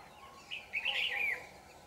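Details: On 4 January 2018 a red-whiskered bulbul, a 'shrimp-back' trap bird in full song, gives a short lead note and then a rich, fluty, slurred warble lasting about half a second. Steady low hum behind.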